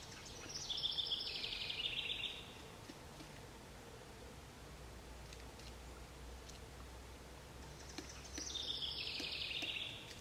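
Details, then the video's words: A pileated woodpecker at Devil's Lake State Park, Wisconsin, gives two fast runs of sharp, clipped notes, each about a second and a half long and six seconds apart, over a steady low outdoor hum. "Pileated Woodpecker"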